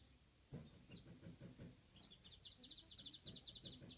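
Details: A warbling white-eye, unseen and calling nearby while another eats a mandarin orange, gives thin, high chirping notes in quick paired bursts during the second half, over a low traffic- or train-like rumble.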